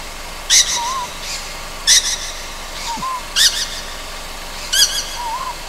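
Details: Ryukyu scops owl juvenile at night on Amami Ōshima: four rough, hissing rasps spaced about one and a half seconds apart, with faint, curved whistles between them.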